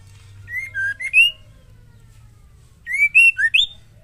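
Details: Female white-rumped shama singing, used to provoke males to sing: two short phrases of clear whistled notes near the same pitch, rising and falling slurs ending in an upward sweep, separated by about two seconds of quiet with low hum.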